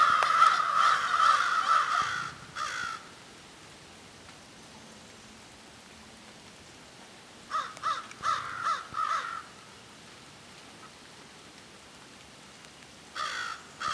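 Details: Group of crows in noisy exchange: a long run of loud, overlapping harsh caws at the start, a quiet gap, then a cluster of five or six rapid caws, and a final short burst.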